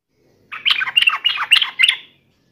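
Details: A brief, loud burst of fast, scratchy, chattering notes from a sooty-headed bulbul in agitated fighting mode, set against silence.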